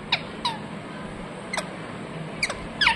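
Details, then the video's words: Parrot chirping: a handful of short, sharp notes sliding downward in pitch, scattered sparsely over a few seconds, with a faint low hum behind them. "Parrot chirping sounds"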